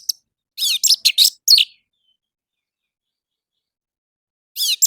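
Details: An orange-headed thrush sings in the morning, a lure meant to prompt captive birds to sing: four to five harsh, buzzy high chirps in quick succession, a long pause, then another buzzy burst.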